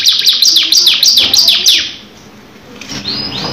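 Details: Canary in long rolling song: a quick run of high downward-slurred notes, then a pause and soft rising whistles near the end.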